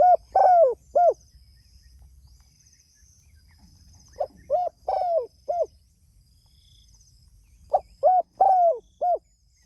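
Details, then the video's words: A spotted dove calls its companions with rhythmic cooing phrases: quick short notes, a long sliding coo, then a clipped final note, repeated three times with gaps of a few seconds. "Suara Burung Tekukur Gacor Memanggil Temanya"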